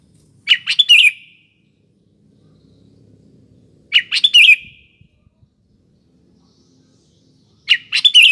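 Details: Sooty-headed bulbul, a lively singer used as a lure for morning, afternoon and night, repeating a short, bubbly, slurred phrase about every three and a half seconds over a faint low background rumble.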